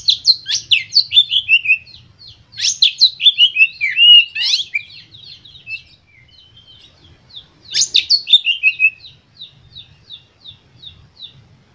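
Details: White-rumped shama song played as a lure to stimulate other shamas into singing: bursts of rapid, sharp descending whistles and chattering notes in fast runs, pausing between phrases, over a faint low hum.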